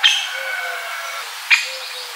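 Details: Middle spotted woodpecker, Leiopicus medius, recorded in central Serbia: two harsh, nasal calls about one and a half seconds apart, the first trailing into a drawn-out fading tone, against quiet background.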